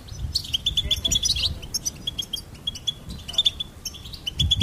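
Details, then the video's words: Goldfinch song of quick high chips and twitters in short phrases, some rapid runs of repeated notes, with low background knocks. "Goldfinch Singing and Song Compilation"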